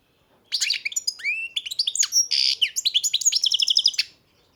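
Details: Captive European goldfinch in a breeder's collection, delivering one continuous four-second phrase of fast, tinkling twitters, rising slurred whistles and a buzzy middle section, ending in rapid repeated notes.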